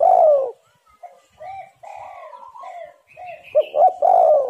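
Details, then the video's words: Spotted dove calling as a lure for wild birds: the tail of a long coo, a pause filled by soft whistles from other birds, then a full phrase of clipped notes and a rolling coo. "tekukur super gacor suara untuk pancingan semua burung"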